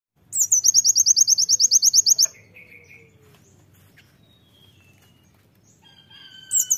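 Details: Oriental white-eye singing loudly in the rapid-fire tembakan style, used as a master song for training: a 2-second burst of quick, very high sharp notes, about eight per second, then quiet with faint lower whistles and another burst starting at the end.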